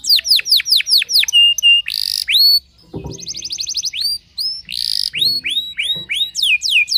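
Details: Canary in full song, said to upset competing canaries, mixing strong upswept chirps, flat whistled notes, a buzzy trill and dry rattling, followed by more rising chirp series.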